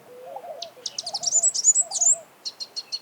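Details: Sunbird in natural habitat giving a fast, high, sweet twittering series that climbs into thin trills, ending with a few spaced sharp chirps; a gentle lower warble sounds at the start.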